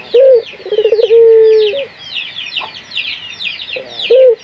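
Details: Local puter dove lure call for stimulating other doves: a short hoot, a fast stuttering roll into a long even coo, a pause filled with high chirping of small birds, then another brief low hoot.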